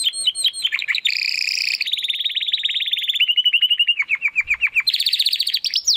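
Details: Spanish Timbrado canary, Classico style, a young bird working toward its full song: buzzy rolling trills, then a string of sharply falling notes, ending in a bright, higher trill.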